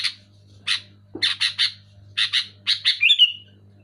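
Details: Sooty-headed bulbul, loud, clear and lively, meant to get quiet bulbuls singing: harsh chips accelerating into paired bursts, finishing with a high, thin squealing trill that rises and fades.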